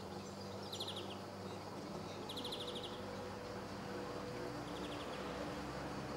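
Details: Male greenfinch at Sabunike, Croatia, on 26 July 2014 repeats short chattering trills of rapid identical notes, three in a row, the last softer, over a continuous low drone.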